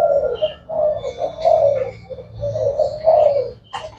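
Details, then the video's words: Spotted dove of the Thai black strain, known for calling all day, uttering deep, hollow coo phrases that run into each other, with a faint high chirp and a click near the end. "Cu gáy thái đen chơi tối ngày"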